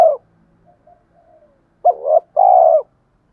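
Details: Spotted dove decoy bird in the thổ pha voice style, cooing to lure wild doves in to fight: one faint tail of a coo, quiet soft notes, then a stuttered double note followed by a long, mellow, slightly falling coo.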